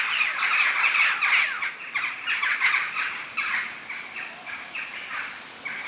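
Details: Western jackdaws in a big flock at sunset, heading to roost in trees in The Hague, Netherlands, in October; loud rapid overlapping squawky chack notes from many birds, fading slightly toward the end.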